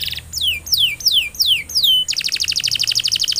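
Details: Canary in full song, used as a lure to get other canaries singing: a few slow falling whistled slurs, then a rapid, even buzzing trill of high notes.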